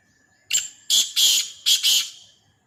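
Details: Black francolin from Sindh calling in a quiet setting: a brief first note followed by two pairs of loud, scratchy, rasping notes in a steady rhythm, the whole phrase lasting around one and a half seconds.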